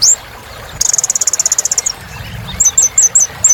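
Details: Kolibri ninja sunbird, 'gacor' song for getting birds singing again: a high chirp, then a second-long fast pulsing trill, followed by a string of quick downslurred high chips.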